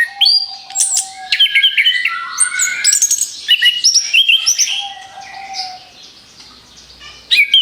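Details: Rapid-fire orange-headed thrush song used as a lure for other birds, dense with high piercing whistles, abrupt trills and descending slurs for about five seconds, then fading to quiet before a final sharp burst.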